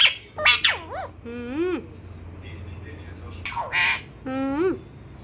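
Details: Pet parrot kept indoors, called quarrelsome, being scolded for breaking a cup. It gives loud, grating squawks and wavering harmonic calls, some sliding upward, in several separate bursts, mixed with Hindi speech nearby.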